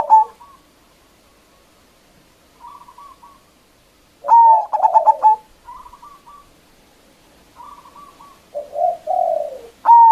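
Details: Local zebra dove with a powerful voice, singing to provoke rivals: soft rippling trills repeat between two loud bursts of a whistled note plus rapid clipped coos, ending on another whistled onset.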